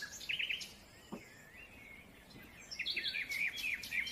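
Crimson-mantled Woodpecker giving quick bursts of high, squeaky chirps in short runs, with a thin wavering note between them.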